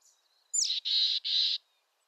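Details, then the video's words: Single call of a mountain chickadee, western North America: a quick slurred high note sliding down, then two evenly spaced, loud, raspy buzzing dee notes, with a faint thin whistle before it. "Mountain Chickadee Bird Song"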